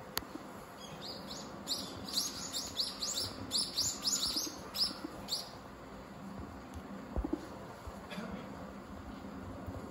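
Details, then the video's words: Common kingfisher on the Zenpukuji River in Suginami, Tokyo, filmed by smartphone with telephoto lens: a run of sharp, high, downslurred whistled notes in quick succession, then fading, with steady high electronic hiss. "善福寺川 カワセミ"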